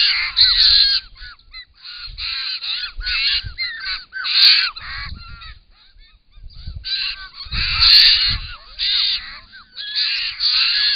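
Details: A large group of wild Australian White-winged Choughs arriving loudly at a pond to drink, caught on a camera trap; bursts of harsh, rasping, descending calls from many birds come in waves, with wing flaps and thuds between.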